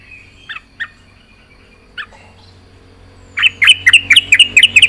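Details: Yellow-vented bulbul singing: a few scattered sharp chirps, then a quick burst of rapid, bright, bubbly notes repeated at a fast, lively pace, with faint low background hum.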